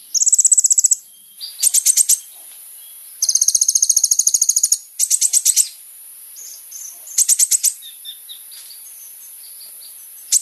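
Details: Olive-backed Sunbird singing vigorously, recorded for use as a lure to draw a response from other birds: high buzzy trills, some doubled in pitch, broken into bursts of varied length, with faint twitters in between.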